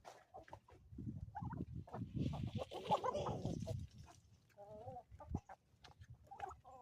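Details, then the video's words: Chickens on an Ozarks homestead in the morning, soft low clucks and murmurs through the first four seconds, then a few short nasal harmonic calls near the end, with rustling and handling noise around them. "relaxing sounds and chickens from the homestead"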